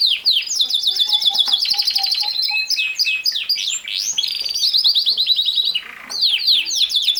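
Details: Canary singing rapid high trills and repeated sweeping notes, with soft low whistles early on, a brief quieter gap, then a renewed burst of fast notes.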